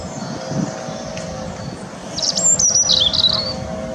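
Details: European robin singing at Teddington Lock, UK, on a windy day: one brief phrase of high, thin, wavering whistles sliding up and down, over a steady low hum and rushing wind rumble.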